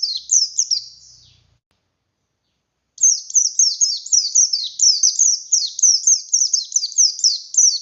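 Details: Oriental white-eye of the buxtoni race, described as forest-type and in full, vigorous song in a rapid 'nembak' style: high, thin, twittering notes tumbling down in quick repeated bursts, a brief phrase, a pause of about one and a half seconds, then a long, continuous run.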